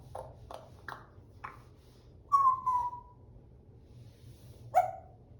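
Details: African grey parrot giving several short clicking notes, then a clear whistled note that slides downward, and one last short sharp whistle.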